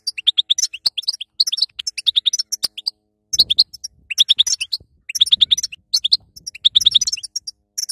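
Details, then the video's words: Female European goldfinch song for coaching a weak male after his moult: rows of rapid, bright repeated chirps with high tinkling overtones, broken by sharp clicks and a few dull low knocks. "بتحب يكون حسونك قوي بعد غيار الريش أسمعه هذه البتبته وشاهد النتيجه |بتبته وستسته للحسون الضعيف"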